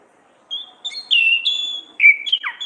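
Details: Orange-headed thrush song in a loud ngeplong, ngriwik style, used as a tutor recording for training songbirds. Silence, then clear whistled phrases that slide and break into a sharp downward note near the end.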